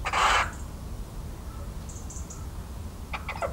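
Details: Little owl recorded in central French countryside on 17 March 2019, giving one short rasping screech at the start, followed by quiet with faint high twittering and a few clicks near the end.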